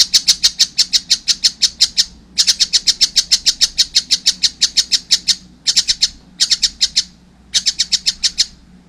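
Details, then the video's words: Young collared kingfisher calling in loud, fast strings of harsh, piercing notes, two long runs followed by shorter bursts of a few notes each with brief gaps. "wow masih kecil udah gacor , anakan burung tengkek buto"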